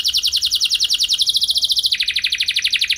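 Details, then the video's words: Canary singing a lure song: a steady, very fast high trill of evenly repeated notes throughout, shifting slightly in pitch midway. "Langsung Nyaut Gacor Dor Kenari Mana Saja Dengan Pancingan Kenari Lagu Mewah Ini"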